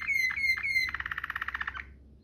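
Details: Waterslager canary singing as a canary tutor: three swooping whistled notes followed by a quick series of evenly spaced pulsed notes that fade away.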